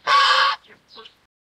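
A swan goose gives one loud, nasal, half-second honk, followed by two brief, softer honks.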